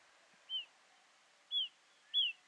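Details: A female Pied Bush Chat in Ooty, November 2021, gives short, clear, downslurred whistles, four in under three seconds and closer together toward the end, over a steady background hiss.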